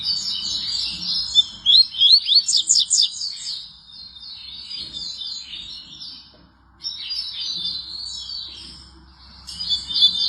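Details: Double-collared seedeater delivering loud, high, rapid twittering phrases of sweeping whistles and trills, pausing between bursts around four and seven seconds before starting again, against a quiet background.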